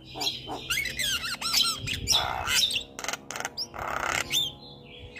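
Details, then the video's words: Caged Javan myna singing a training song meant to prompt lazy birds to sing: harsh squawks, wavering whistles and broad noisy bursts mixed together, with a faint low hum beneath. "Pancingan Jalak Kebo Malas Bunyi"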